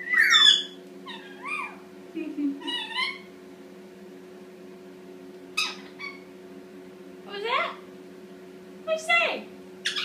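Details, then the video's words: Pet Indian ringneck parakeet, eight months old, chattering while practising to talk in the shower: sharp rising and falling squeaky syllables, some high and scratchy, in irregular bursts with pauses, over a constant low hum of running water. "Indian Ringneck talking up a storm!"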